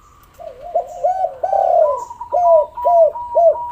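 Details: Repeated coos of a spotted dove, a lure for prompting idle doves to call; a wavering opening phrase, a longer swelling coo, then three clear arched notes, with a steady thin whistle above.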